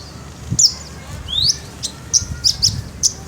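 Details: Javan bush lark in full song: a few high whistled notes, one long rising slur, then short bright chips in quick succession over a soft low background rumble.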